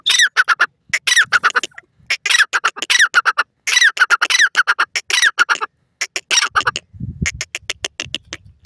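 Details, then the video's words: Grey francolin, known locally as dakhni teetar, calling in loud, strident, squeaky notes repeated rapidly in bursts of several syllables, with brief pauses between series. A short low rumble is heard near the end. "dakhni teetar ke boli,teetar sound"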